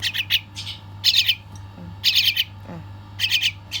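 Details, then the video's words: Chick being fed gives insistent begging: clusters of high, shrill chirps in quick bursts roughly every second, with a steady low hum underneath. "Feeding baby bird"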